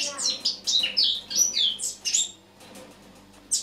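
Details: Eurasian blackcap in autumn, recorded on the morning of 1 October 2017, delivering a quick burst of high, scratchy warbled notes for about two seconds, then near silence before one last chirp.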